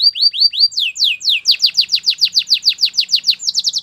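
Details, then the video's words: Canary song for training: a few rising whistles, then a steady chain of bright downslurred notes repeated about five per second, ending in a quicker high trill. "Your canary will not stop singing with this training song"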